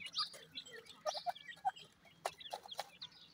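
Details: Several quiet, tonal peeps from grey francolin chicks come in loose irregular bursts, mixed with higher thin chirps and sharp clicks against a steady low hum.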